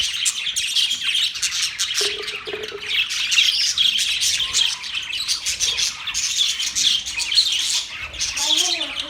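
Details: Steady budgerigar chatter fills nine seconds: rapid, high, buzzy chirps and warbles rising and falling in loudness, with a short low hum near two seconds and a faint low tone at the end.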